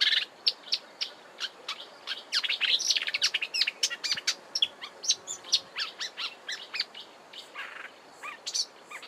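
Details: Marsh warbler at Kap River Nature Reserve in South Africa's Eastern Cape, March: quick rambling warble of sharp high notes, clicks and short buzzes, with repeated motifs and mimicry, delivered in uneven bursts against quiet natural background noise.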